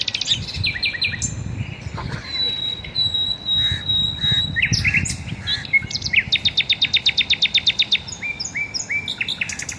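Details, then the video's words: Garden birds singing in the morning: dense high chirps and twitters throughout, a thin sustained whistle near the start, then a fast even series of sharp repeated notes after six seconds, with low rumbling background noise. "garden birds singing sounds | relaxing bird chirping video"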